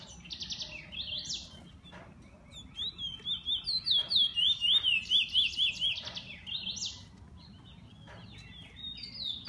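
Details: Kept bullfinch delivering a high, chattering song with a fast series of repeated rising-falling notes in its middle, broken by brief clicking sounds.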